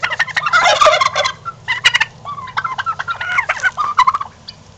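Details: Strutting domestic turkeys give a dense, rattling burst at the start, followed by many short, uneven clucks and chirpy notes that run on to the end.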